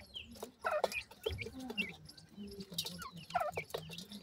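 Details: Grey francolin chicks (teetar babies) make bright, slurred chirps that rise and fall, clustered in bursts. Soft lower clucking notes and sharp tapping clicks are heard among them.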